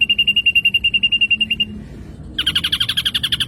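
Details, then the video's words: Black drongo song played as a lure for caged birds: a fast, even string of clear whistled notes, a short pause, then rapid buzzy, harsher notes repeated in quick succession. "PANCINGAN BURUNG SRIGUNTING DI JAMIN LANGSUNG NYAUT"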